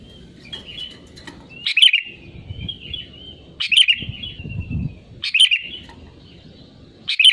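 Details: Sooty-headed bulbul singing strongly, a recording meant to lure others of its kind into song: short loud whistled bursts about every one and a half seconds, linked by soft warbling, with a steady low rumble behind.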